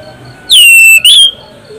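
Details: Orange-headed thrush, loud and shrill, singing to lure other birds into song: a strong whistle that drops sharply then holds steady, followed after a brief break by a second rising-then-level note.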